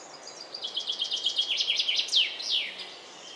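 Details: Song thrush parents feeding their four young about 10 m up; a fast run of high, thin chirps builds in loudness, then several louder notes slide steeply downward, over a steady background hiss.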